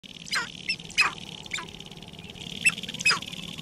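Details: Sharp-tailed grouse at a lek near Regina, Saskatchewan, Canada, on 14 April 2012: sharp, downward-sweeping chirps and clucks in an irregular scatter of about six notes, over a steady high hiss and low rumble.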